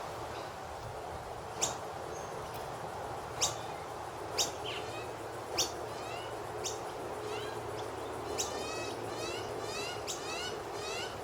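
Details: Noisy miner chirping in a tree in the morning in Australia: sharp, high, down-slurred chips roughly every second, then a fast burst of rising notes toward the end, all over steady background hiss.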